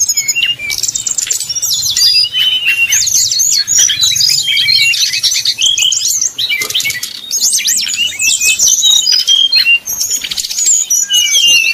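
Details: Flute-like 'nyuling' singing from a brown-chested jungle flycatcher, meant to rile up rivals; a nonstop busy stream of thin high whistles, short trills and chattering notes packed tightly for the whole stretch.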